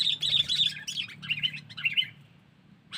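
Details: Used to lure wild birds, this sooty-headed bulbul call gives about two seconds of fast, high, twittering chirps over a faint low hum, then falls silent.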